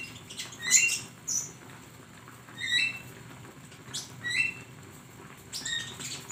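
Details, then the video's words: Flowerpecker song used as a training recording for songbirds: sparse, very high, thin chirps and short upslurred notes in scattered bursts about every second or two, with quiet gaps between. "masteran burung Konin"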